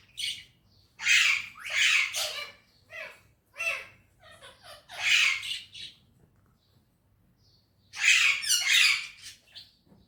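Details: Parrot in a happy mood, talking in Urdu or Hindi: loud, harsh bursts of speech-like squawks in separate phrases, with short quiet pauses between them and faint lower sounds in the background.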